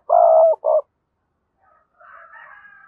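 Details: Decoy spotted dove with a strong, lively 'thúc' voice giving a loud, low cooing phrase: a long mellow coo and a short second note, followed by a faint, higher warbling sound from another bird.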